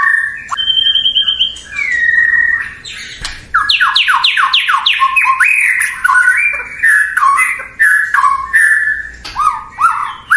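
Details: Murai batu, the white-rumped shama, a songbird widely kept for its melodious voice, delivers a trilled high note, then a fast run of downward-sweeping whistles followed by varied warbled phrases and sharp accents.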